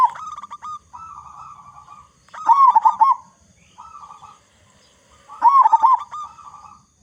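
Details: Loud local zebra dove used to prompt other doves to sing. Flat trilled coos alternate with bursts of rolling, wavy cooing, each full phrase recurring about every three seconds.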